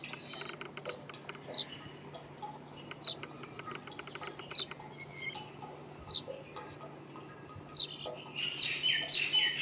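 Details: Indian chat, the brown rock chat, calling with brief high piercing notes spaced roughly every one and a half seconds over a constant low hum; other birds twitter near the end.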